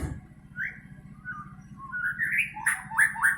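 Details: White-rumped shama kept as a cage bird, giving mellow whistled notes that climb into a quicker run of richer, varied phrases over a low background rumble.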